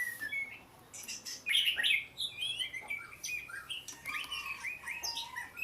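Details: Oriental magpie-robin song: a loud burst of rich, trilled notes followed by a string of varied whistles and chirps at different pitches, against steady low background hiss.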